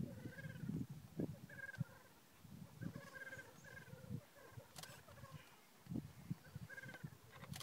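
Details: Black grouse lek in Glen Bruar, Atholl Estates, early morning: several males calling at once, a low continuous dove-like bubbling broken by brief harsh hissing sneezes.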